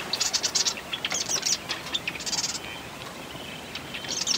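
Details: Marsh wren song: several short bursts of rapid, buzzy rattling notes, each about half a second long, coming one after another over a faint background hiss.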